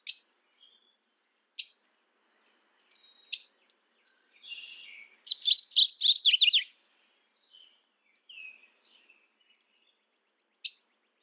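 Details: Sharp single chips spaced a second or two apart, then a rich burst of rapid repeated two-note units from a mourning warbler lasting about one and a half seconds, with softer twitters and a final chip.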